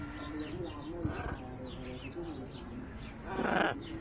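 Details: Hyacinth macaw at play gives a single loud, harsh, raspy screech near the end, after a stretch of steady low hum and faint high chirps from small birds in the background.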